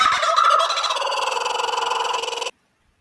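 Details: Kookaburra recording played in a classroom lesson, its call said to sound like laughing: a rich, rolling cackle of rapid pulsed notes, steady in pitch then tapering before stopping abruptly.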